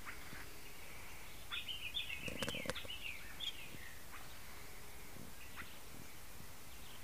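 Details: Wild azure-shouldered tanager in the bush giving a fast jumble of high, thin, slurred notes for about two seconds, then a few quieter scattered notes, over steady low background rumble.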